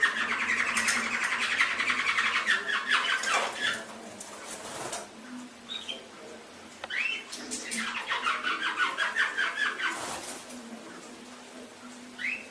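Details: Canary song used to train pet canaries: lower, buzzy rolling phrases of rapid pulses alternating with short pauses and occasional higher chirps, repeating in several bursts.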